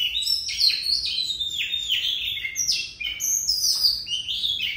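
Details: Oriental magpie-robin delivering a long continuous song of rapid, high-pitched warbles, downward-slurred whistles and squeaky notes packed tightly together with hardly a break.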